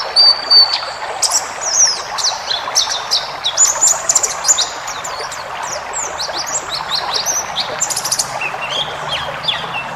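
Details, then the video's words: High, rapid twittering of wild-type white-eye used to train caged birds: dense jumbled chirps and short whistles with varied, packed content that keeps going without pause over a soft background hiss. "masteran burung pleci ngalas full isian"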